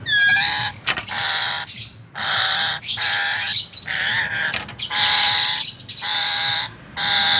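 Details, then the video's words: Chattering lory (Lorius garrulus) giving harsh, broadband squawks in bursts of about a second, repeated with short gaps; a person speaks faintly in the background. "Lorius garrulus atau burung nuri kepala merah"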